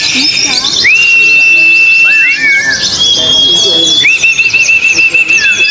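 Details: Contest-singing oriental white-eyes on hanging poles give sweet, drawn-out level whistles that rise at the start, mixed with busy high twitters and brief falling slurs, amid quiet background voices.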